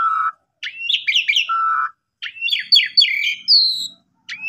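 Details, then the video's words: Asian pied starling song meant to coax other starlings into singing: a low steady whistle, then clustered rising chirps and a high clear whistle, phrases split by brief silences. "Pancingan Jalak Suren Bongkar Isian Gacor Dengan Gaya Mompa Unik"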